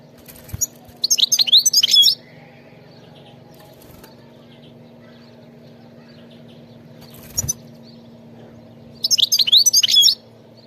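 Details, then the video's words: Singing wild goldfinch delivering two dense bursts of fast, jangling, twittering notes about seven seconds apart, with one short chirp between them and a low hum in the background. "singing carduelis"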